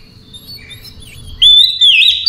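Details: Oriental magpie-robin in relaxed night-time song, a faint thin twitter that breaks into a loud, sustained, wavering high whistle, with a soft low rumble behind it.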